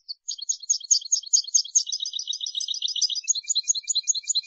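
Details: Song of a European goldfinch, recorded on an Andalusian CD for tutoring young birds to sing: continuous fast chattering twitter of bright high notes, trailing into soft thin ticks near the end; no other sounds.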